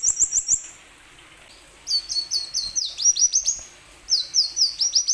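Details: Plain sunbird singing, used to coax other sunbirds to sing: short bursts of rapid high chirps separated by brief pauses, with slurred whistled notes repeated about four per second.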